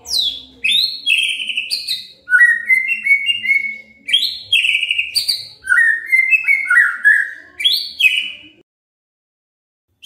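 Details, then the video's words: White-rumped shama singing rich, varied whistled phrases, clear and fluty with sharp high notes, in quick bursts for about eight seconds before falling silent; song used to provoke other shamas into singing. "SIULAN MURAI BATU INI SANGAT EFEKTIF SEBAGAI PANCINGAN MURAI BIAR GACOR"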